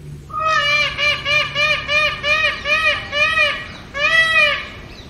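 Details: An Indian peafowl screaming loudly on a house terrace: a quick series of about ten loud, nasal, trumpeting honks, then one longer wailing note.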